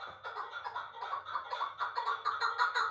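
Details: Chukar partridge from Uzbekistan, a last year's young bird that was caught, now kept in Dushanbe: a series of harsh clucking notes repeated unevenly, rising and falling in loudness over three seconds.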